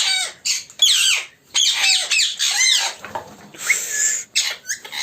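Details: Colony of African ringneck parakeets, with several birds giving loud, harsh squawks that slide downward, in quick bursts separated by short silences, some overlapping.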